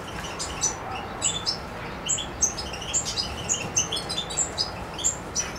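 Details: European goldfinch recorded 7 July 2011 in Macedonia: a dense, fast sequence of bright, high twittering notes with liquid chirps throughout.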